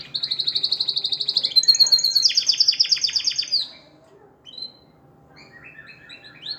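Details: Male canary song meant to encourage females to mate: a loud, even, rapid trill, then a descending series of sharp repeated notes, followed by a quiet pause and soft scattered chirps.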